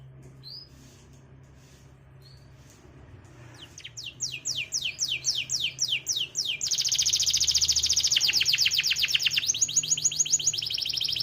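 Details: Canary singing: two brief whistled notes, then fast repeated descending sweeps that build into loud, rapid high trills and rolls, with a low steady hum underneath.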